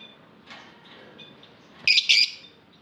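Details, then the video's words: Lovebird in an aviary giving two loud, harsh, squeaky chirps in quick succession near the end, after a few faint high twitters over a quiet background. "Lovebird Singing Call & Chirping Sounds"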